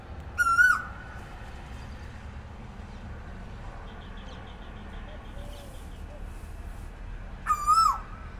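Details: An Asian koel calling in the morning: one loud ringing call at the start and another about seven seconds later, each steady then falling, with a quiet gap of distant hum and faint cooing between them.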